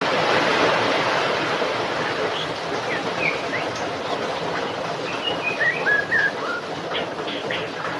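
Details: White-rumped shama singing in the rain: short clear whistled notes and slurred phrases, some rising and some falling, spread between about two and eight seconds over steady loud rain hiss.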